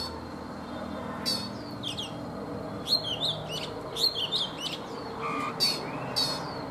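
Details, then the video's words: Old wild-caught Oriental magpie-robin, kept three seasons in a cage, singing in the morning: scattered clear whistled notes and sharp sweeping phrases, some in quick clusters, over a steady low background hum. "Chòe Than già rừng - 3 mùa lồng hót buổi sáng"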